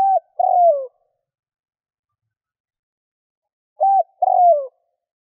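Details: Spotted dove cooing to lure wild doves: a short hooded note then a longer falling coo, phrase repeated after a pause of about three seconds, in silence.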